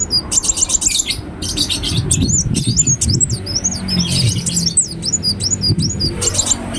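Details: Active Ruby-cheeked sunbird song used as a lure: bursts of sharp high chips, then wavering thin slurred phrases rising and falling, over a noticeable low rumble in the background.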